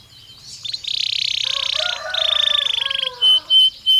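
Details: Belgian canary singing, a stimulus recording for training canaries to sing more: two sustained buzzy rolling trills, then three short evenly spaced pure whistled notes, soft warbling underneath.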